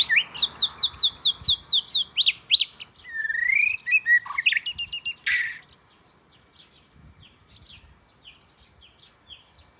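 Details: Oriental magpie-robin, southern Thai bird and the household's first, singing a fast string of repeated high downslurred whistles, then a warbled rising phrase and harsh notes, fading to soft scattered chips.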